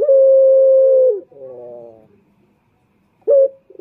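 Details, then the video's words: Male turtle dove (puter) lure call from Indonesia: one long flat low coo, a softer buzzy tail, silence, then a brief clipped note. "Pancingan Puter Jantan"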